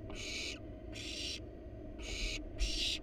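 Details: Wild barn owls at a monitored nest box as parents bring a rat to their nestlings; harsh broadband hissing screeches, four bursts about half a second long at roughly one per second, over a steady low hum.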